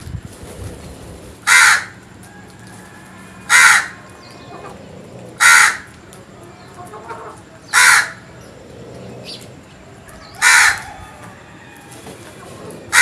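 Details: Crow in the morning giving harsh, rasping caws repeated about every two seconds, five calls of even loudness, with a low steady background hum.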